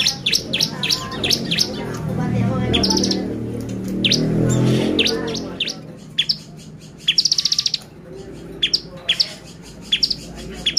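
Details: Bar-winged prinia singing in full voice, used as a lure to excite other prinias: sharp, high, downward-slurred notes in quick series with short buzzy trills, over a low rumbling background in the first half.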